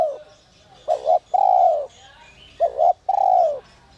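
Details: Spotted dove of the whistle-voice ('giọng còi') type: after the tail of one coo, two full phrases follow, each a quick double note and then a drawn-out, falling mellow coo.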